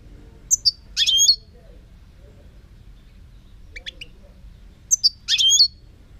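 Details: European goldfinch song in 2018: two groups of high, sharp twittering notes with bright liquid trills, separated by a pause of about four seconds, with a faint softer phrase between them over low background hum.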